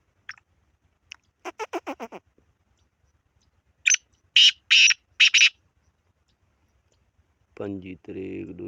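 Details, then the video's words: Black francolin sequence: faint opening notes, a quick stuttered series of descending notes, then four loud grating rasps; a separate low, buzzy sound starts near the end. "کالا تیتر کی مکس آوازیں"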